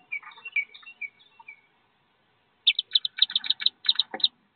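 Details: Wood duck ducklings leaving a nest box about 15 feet off the ground, 13 in the brood: soft, gliding whistles at first, then after a pause a quick run of loud, sharp peeps.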